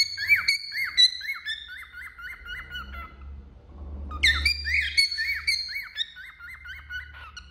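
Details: Cockatiel on a finger, singing two phrases of arched, bouncing whistles with strong overtones, separated by a quieter gap with a low rumble in the background.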